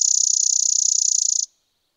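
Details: American sparrow of the genus Spizella singing one steady, dry, high trill of rapid even pulses lasting about a second and a half, then silence.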